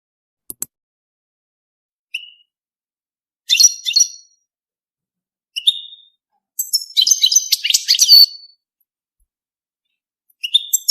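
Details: European goldfinch singing for mating, in short separated bursts: thin rising whistles, a twittering tinkling phrase near the middle and a longer dense jumble of chirps and trills, with silent gaps between phrases.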